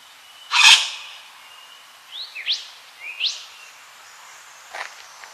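A yellow wattlebird gives one loud, harsh, rasping note, then two pairs of quick swooping whistled notes, ending with a faint scratchy sound.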